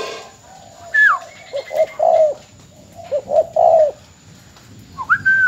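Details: Bến Tre spotted dove, a mồi mỏ công decoy later sold, repeats its three-note coo twice, short low notes leading into a longer hoot, with a higher falling whistle and a rising whistle from another bird.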